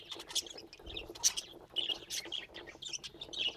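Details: Pet budgerigars keep up a rapid, dense warbling chatter of high, scratchy chirps and squeaks that tumble over one another without pause.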